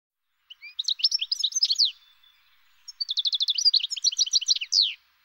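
A European goldfinch sings two fast, tinkling phrases of bright twittering notes and buzzy trills, high-pitched and liquid, with a short pause between them.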